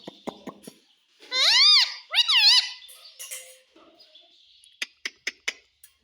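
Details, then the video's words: Parrot imitating "mummy" and "papa", giving two loud, bending harmonic utterances close together, then a run of quick, sharp clicks and taps in a quiet room. "Parrot Talking Mummy Mummy _ Papa Bolta hai"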